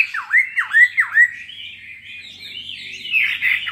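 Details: Caged two-year-old Chinese hwamei giving its fighting song: four loud, swooping down-and-up whistled notes in quick succession, then a softer, wavering warble that rises higher toward the end.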